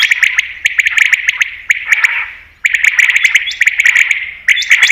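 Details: Common quail call for hunting use. Dense, rasping, chattering phrases packed with clicks, repeated in three long bursts separated by brief fading pauses.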